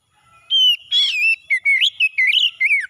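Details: In this morning song of an oriental magpie-robin, intended to restore stressed birds' singing, a bright whistle leads into a harsh buzzy note, followed by a string of short, varied whistled notes.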